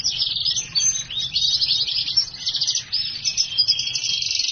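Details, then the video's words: Hybrid of black-hooded siskin and house finch in continuous song: a dense, rapid, unbroken twittering stream of high buzzy trills and chirps with scratchy warbled phrases, sustained without pause, low rumble in the background. "HYBRID silangan black hooded siskin x house finch gacor"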